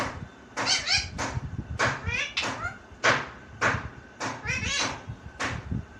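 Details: Talking parrot repeating a phrase heard as "mummy mitthu uth": a string of short, voice-like syllables, bright and raspy with quick rising and falling inflections, in clusters over six seconds, with low room rumble underneath.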